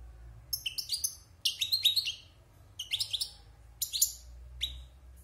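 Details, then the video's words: Caged wild European goldfinch, six months in captivity after moulting, sings clusters of sharp high tinkling notes and brief trills separated by short pauses. "Chant de Chardonneret sauvage (Repassage)|غناء حسون خلوي خارج من تغير الريش"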